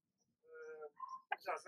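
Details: A pet female common starling, 1 year 4 months old, talks and whistles to the camera with whistling music in the background. She gives a drawn-out, buzzy, voice-like tone and a brief clear whistle, then quick, harsh, chattering speech-like syllables.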